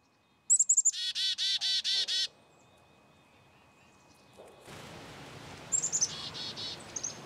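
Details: Black-capped chickadee giving its chick-a-dee call: a few high, thin introductory notes, then about six harsh, buzzy 'dee' notes in quick succession. After a quiet gap a second, shorter series sounds over steady rushing background noise.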